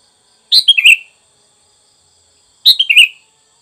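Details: Recorded for training caged birds, a sooty-headed bulbul repeats the same brief liquid phrase twice, roughly two seconds apart, each a sharp start sliding into lower warbled notes.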